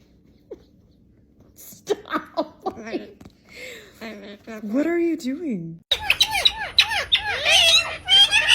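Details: Pet parrot heard among people talking, music and laughter; after a quiet start come harmonic squeaks and bent whistled notes, then a dense burst of shrill squawking chatter in the last seconds.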